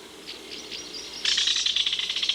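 A Belted Kingfisher gives its loud, dry, harsh rattle, a fast run of about a dozen grating notes per second, after a few faint scratchy notes.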